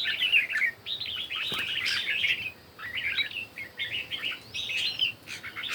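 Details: Red-whiskered bulbul competition singing in the morning: short bubbly whistled phrases, rising and falling, delivered in quick bursts with brief pauses between them.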